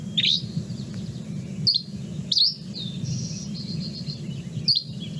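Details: A Dusky Flycatcher near Boise, Idaho, a bird of coniferous and drier forests, sings short, high, sharp chirps a second or two apart with thin twittery buzzy phrases between, over a low steady rumble; finding: Dusky Flycatcher.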